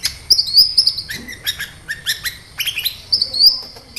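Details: Sunbird song, described as 'kolibri ninja', used as a lure to provoke other sunbirds into responding and singing: rapid high, sharp chirps and thin whistled notes, with short buzzy bursts, in quick irregular succession.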